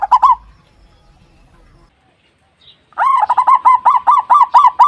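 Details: Zebra dove singing while brooding its chicks, on the second day since the chicks were found: one short coo, a pause, then a fast rolling series of about fifteen bubbling, harmonically rich staccato notes.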